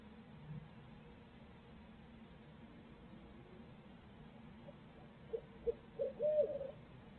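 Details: Barred owl at its nest in Midtown Tulsa, where both parents share duties, picked up by a live nest camera. After a quiet stretch of hum, a few short hoots end in a longer, drawn-out wavering hoot.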